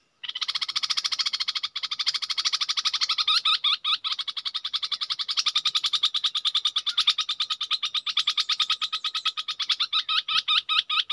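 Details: Red-whiskered bulbul decoy bird giving a long, continuous, rapid buzzy chatter of evenly repeated harsh notes lasting the whole stretch.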